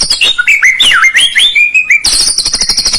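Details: White-rumped shama song used as a lure to get a lazy bird singing: rich whistled phrases sliding up and down, then a fast, high, buzzy trill held steadily for about a second.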